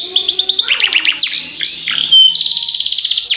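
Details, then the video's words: Canary singing a long rolling song for training other birds: rapid stuttering notes, sliding whistles, then a fast buzzy trill held steady to the end. "Masteran Kenari Gacor Ngerol Panjang"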